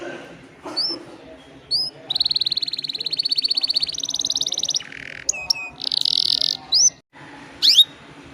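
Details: Canary song used to lure other canaries: scattered upslurred chips, a long pulsing high trill, a harsher buzzy burst, more rapid trilling and short whistled sweeps, with a low hum underneath.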